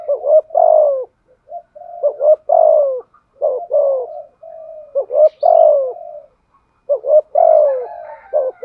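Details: Decoy spotted dove with 'giọng thổ' voice, cooing steadily in 'thúc gù' style. About seven repeated phrases, each a double stutter followed by a long, falling coo, with almost no gaps between them.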